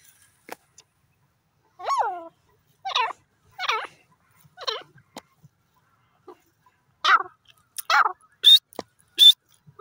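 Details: Grey francolin in a forest uttering a series of harsh, harmonic, descending call notes at irregular intervals, followed by a few sharp high chirps near the end.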